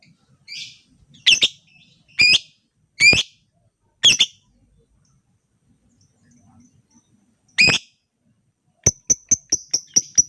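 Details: Lure recording of a lovebird to make other lovebirds sing: harsh, shrill chirps repeated roughly once a second, a pause, another screech, then a rapid series of sharp, high, ticking notes at the end.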